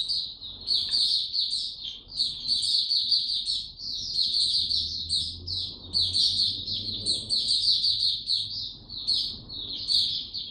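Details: White-eye kept without supplements, 29 April 2022, in full song: dense high-pitched twittering warble, notes tumbling quickly together with brief dips, against a low rumbling background.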